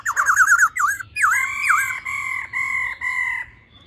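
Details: Female laughingthrush singing: a few rapid wavering whistles, then a series of clear, level whistled notes with strong harmonics, each about half a second long, gradually fading.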